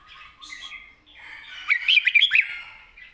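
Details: Red-whiskered bulbul kept as a cage bird, singing a long, soft-voiced song with 'rik' notes in wild-style phrasing: low warbled notes build into a loud burst of quick, bright, rising and falling whistled chirps, then fade.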